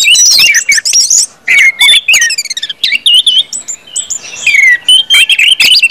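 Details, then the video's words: Orange-headed thrush singing in the 'ngeplong' manner, used to make other birds sing quickly. It opens with rapid high trills, then moves to clear, bouncing whistled notes and slurs repeated in short bursts. "KUMPULAN ANIS MERAH NGEPLONG BIKIN CEPAT BUNYI DAN GACOR ANIS MERAH"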